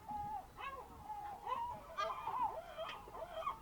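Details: Early-morning birds at a Greek fishing harbour on the Ionian Sea by the Ambracian Gulf, 27 March 2026: moderately quiet, nasal, wavering calls that bend up and down, given in quick overlapping series over low background rumble.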